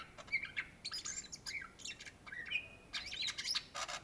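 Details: Indonesian greater green leafbird (cucak ijo) in excited song: harsh, scratchy chatter alternating with short clear whistles and squeaky high notes, tightly packed with few gaps.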